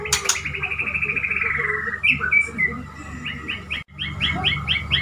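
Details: Male white-rumped shama, a pet bird, courting a female: a long descending trill, then short bright whistled notes and a rapid series of rising chips, over a steady low electrical hum, with one sharp click at the start.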